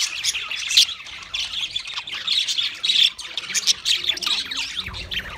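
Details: Chattering song of pet budgerigars, a steady stream of scratchy squawks, clicks and quick chirped notes from more than one bird, swelling and dipping in loudness with short sharp bursts.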